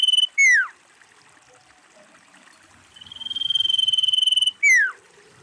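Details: Female common iora calling to attract other ioras: a falling slurred whistle, a pause, a long high trill that grows louder with fast even pulses, then another steeply dropping whistle.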